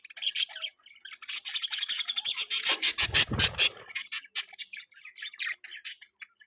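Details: Outdoor aviary budgerigars chatter in rapid, rasping pulses forming a continuous warble, with a brief low thud in the middle.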